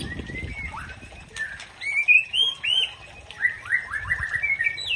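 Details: Song of a white-rumped shama, locally Murai Aceh, meant to stir up a rival: varied sliding whistles, some looping upward, then a quick series of descending notes repeated several times.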